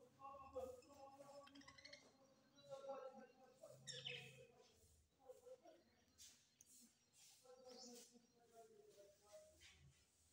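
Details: Parrot talking, giving speech-like phrases of mid-pitched, harmonic syllables in short irregular bursts, with a few brief higher chirps scattered between them.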